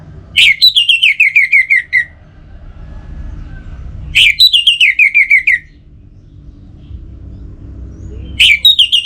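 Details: Orange-headed thrush giving three near-identical phrases about four seconds apart, each a bright high attack followed by a quick run of rhythmic whistled notes sliding gently lower.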